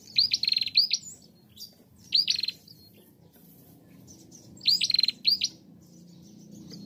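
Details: Bar-winged prinia female used to trigger singing in other prinias: three quick phrases of high-pitched upswept whistles running into dry buzzy trills, with a short pause in the middle and faint background rumble.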